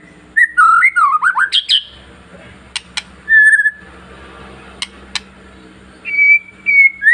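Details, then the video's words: Long-tailed white-rumped shama song meant to stimulate other shamas: a short burst of wavering whistles and a sharp rising note, then sparse clicks and a steady whistle over a low background hum. "MENINGKATKAN EMOSI BURUNG MURAI Dengan Suara murai batu ekor panjang"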